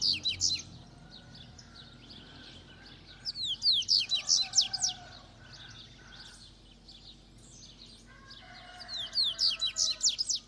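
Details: Double-collared seedeater from Itaguaçu, Espírito Santo, Brazil, giving three fast bursts of high, sweeping, twittering notes separated by pauses, over a faint low hum with a distant rooster-like call between phrases.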